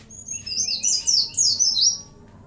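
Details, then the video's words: Oriental white-eye singing strongly with cililin, bren and cigun phrases worked in: a two-second stream of thin, very high, downslurred twitters, rising and falling in loud pulses. "pleci gacor isian CiLiLin sambung bren cigun"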